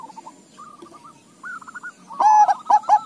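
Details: Bangkok-local crossbred zebra doves answering each other: quiet distant trilled coos give way to a close, loud burst of rich, rolling cooing notes near the end.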